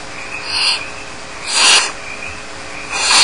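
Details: Barn owl chicks left alone in their nest at Starr Ranch give soft, smeared hissing begging calls. Three muffled rasping breaths rise and fall at irregular intervals over a steady background hiss.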